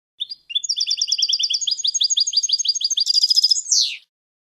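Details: Goldfinch song for training fledgling goldfinches: a short call, then long run of quick liquid twitters building into a dense trill and ending with a harsh, falling buzzy note.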